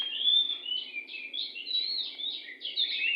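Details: Oriental magpie-robin, wild, close to a house, pouring out clear whistled notes and rapid chattering warbles in an unbroken, vigorous sequence.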